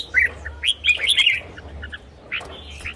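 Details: Red-whiskered bulbul song for decoy use or for exciting caged birds: busy overlapping whistled chirps and warbles over noticeable background hiss and low hum.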